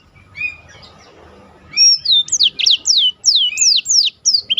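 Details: Black-throated canary song used to tutor contest birds; a few quiet notes, then a loud run of sharply descending whistled sweeps repeated rapidly, with faint low hum behind.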